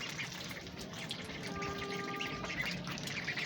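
A duck gives a nasal, drawn-out call partway through, half buried in steady hiss and splashy background noise.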